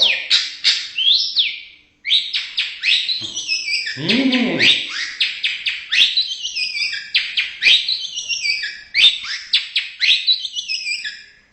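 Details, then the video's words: Indonesian white-rumped shama pouring out a rich, fast song of sweeping whistled slurs and trills, broken once by a lower, rough churring phrase, then resuming dense high chirping notes. "MURAI BATU INDONESIA Burung predator cerdas bersuara emas"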